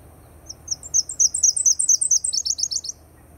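A Nashville Warbler sings a high, sweet two-part song: a series of slightly rising introductory notes running into a quicker, lower-pitched trill, about three seconds long.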